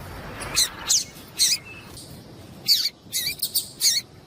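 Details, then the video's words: Female Papa-capim (Double-collared Seedeater), whose calls are used to stir a male to sing: scattered short high chirps and buzzy notes in small clusters, with brief pauses, against light hiss. "Fêmea de Papa capim piadeira para Esquentar Papa capim"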